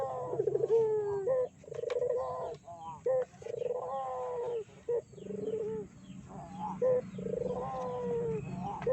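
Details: Barbary dove lure calls meant to provoke other doves: long, throaty, purring coos with a falling tail, repeated in bursts of about a second with short gaps, several birds overlapping.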